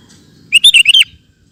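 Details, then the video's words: Vigorously singing sooty-headed bulbul, recorded as training material for caged birds; a single brisk phrase of five liquid, slurred whistles, rising then dipping, set against near silence. "Suara Burung Kutilang Gacor Cocok Untuk Masteran"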